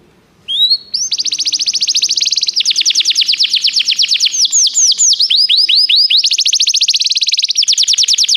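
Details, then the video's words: Canary training song: a loud, continuous rapid trill of evenly spaced notes, broken midway by a run of sharp descending whistles before the fast pulsing resumes. "O melhor canário canário para treinar seu canário"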